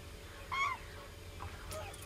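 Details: Common cranes: one loud, rich trumpeting note lasting about a quarter second, slightly rising then falling. Fainter, softer calls follow near the end over a steady low rumble of background noise.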